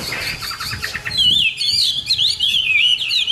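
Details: Hwamei song heard in the morning. Fast chattering notes give way to a high, continuous, wavering whistled warble that twists rapidly up and down.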